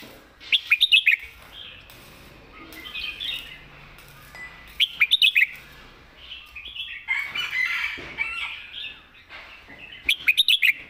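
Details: Red-whiskered bulbul delivering a loud southern master song: bursts of five rapid bright chirps recur about every four to five seconds, separated by mellow warbled whistled phrases.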